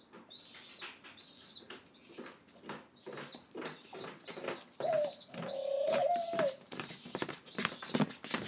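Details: Young rescued pigeons on day seven of care await breakfast indoors, giving repeated high peeps among clicks and rustling, plus one drawn-out lower nasal note midway.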